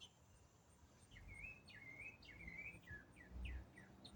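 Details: A songbird heard in autumn sings one continuous riff: swooping whistled notes linked into rising and falling warbles, each phrase running straight into the next, with a low background rumble.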